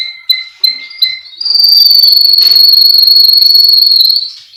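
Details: Russian canary from a breeder in Miami, Florida, in a training recording: three sharp clipped notes, then a fast, steady rolling trill at one high pitch sustained for nearly three seconds before fading.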